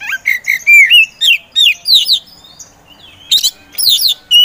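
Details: Kacer poci, the Oriental magpie-robin kept for songbird contests, in vigorous 'gacor' song: a regular string of swooping whistled notes about every third of a second, a brief pause, then sharp high bursts.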